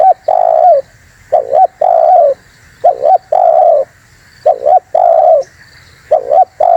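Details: Spotted dove in full voice, used to lure birds: about four phrases of paired hooked coos alternating with long, soft, even coos, rhythmic and repeated, over a steady low hum.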